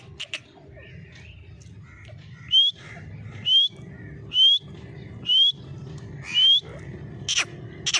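A Grey francolin gives loud, shrill rising whistles, five in a row about a second apart, over a steady low rumble with a few clicks.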